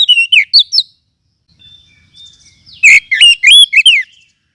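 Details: Oriental magpie-robin of the forest type, recorded as a lure and tutor sound: loud looping whistled notes, a quiet scratchy warble, then a harsh rasp and a further run of five sharp, twisting whistles.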